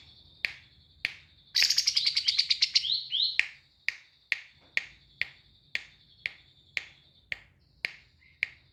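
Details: Lovebird of the white kapas variety singing in the tembak cililinan style: a fast trilled burst of high, sharp chirps lasting over a second, then crisp isolated clicking notes repeated about every half second over a faint steady high tone.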